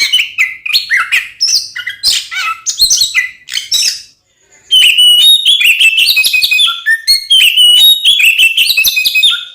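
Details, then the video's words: Oriental magpie-robin, whose fighting song is used to anger other magpie-robins; chattering whistles and rattles, a short silence near the middle, then a long fast run of bright whistled and scratchy notes. "SUARA BURUNG kacer gacor NGEPLONG TARUNG konslet ini paling AMPUH buat PANCINGAN KACER agar EMOSI"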